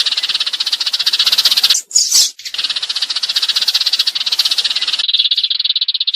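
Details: Sparrows in a 2019 lure recording used for trapping birds: a dense, rapid rattling chatter of harsh chirps, briefly broken by a louder burst, then resuming as a steady buzzy trill.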